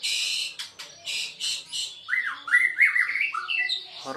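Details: Seven-month-old White-rumped Shama, or Murai Aceh, doing its bowing 'main sujud' display opens with harsh rasping bursts, then switches to rapid looping whistled notes rising and falling.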